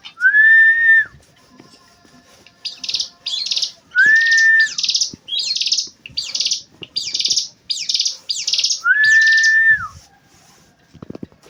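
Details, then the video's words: Song of a Javan prinia, called ciblek gunung, meant for training kept songbirds: drawn-out level whistles alternating with runs of repeated rasping, high-pitched buzzy notes at an even pace, with brief quiet gaps between. "ciblek gunung"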